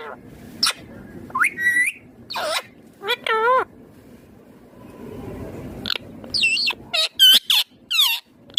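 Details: Indian ringneck green parrot talking, with scattered wavering, warbled syllables and sharp squeaks, some bending up and down in pitch, separated by a quiet stretch.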